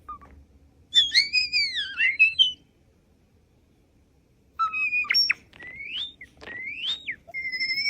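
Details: Starling making human-like sounds: high swooping whistled phrases that arch up and down, a pause, then sharp rising whistles and short chirps, with a faint low hum underneath.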